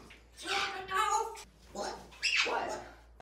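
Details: Pet African grey parrot talking indoors, apparently having learned to ask "what?": three voiced, speech-like syllables with clear harmonic tones over about three seconds, the last one rising and brighter, in a quiet small room.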